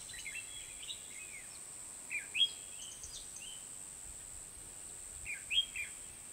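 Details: A red-whiskered bulbul at a fighting-trap setup in Hoa Binh gives two brief bursts of bright, liquid whistled notes about three seconds apart, with faint chirps and a steady high insect-like hiss behind.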